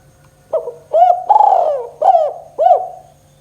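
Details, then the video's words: Spotted dove singing a KUK 2 style phrase meant to lure quiet doves into calling: five mellow coos, the third long and drawn out, the others short and clipped, with a faint electrical hum behind. "Suara Burung Tekukur KUK 2 Gacor Paling Ampuh Untuk Pancingan TEKUKUR Malas Macet Bunyi"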